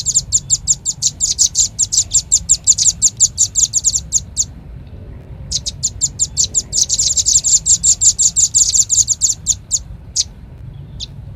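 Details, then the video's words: Velvet-fronted nuthatch lure call with two long, rhythmic runs of sharp, high, clipped notes, separated by a quiet break and ending in a few isolated chips. "Suara pikat burung rambatan paling ampuh | rambatan paruh merah"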